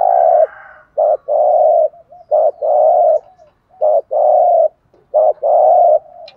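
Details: Spotted dove, a cooing sequence meant to stimulate decoy birds: four steady two-part coos, a short clipped note then a longer level coo, with soft murmurs between.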